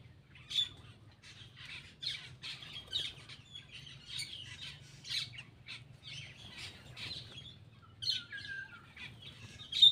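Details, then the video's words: Black-winged myna singing while eating: a clear, busy sequence of raspy chatters, clicks and squeaky whistles with a few louder shrieks, including one near the end, against quiet surroundings. "cucak Keling bar bar"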